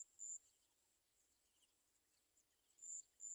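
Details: Olive-backed sunbird mother beside fallen baby birds that cannot eat; a high thin note opens, a quiet stretch of faint chirps follows, then another high piercing note or two near the end.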